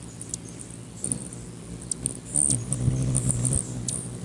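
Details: Several rufous hummingbirds squabble over a perch on a man's finger on 20 May 2020; a deep buzzing wing hum grows louder toward the end beneath sharp, high-pitched chips and ticks.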